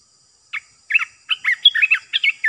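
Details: Caged Olive-winged Bulbul used for trapping, giving a series of short liquid chirps that grow faster and busier over two seconds.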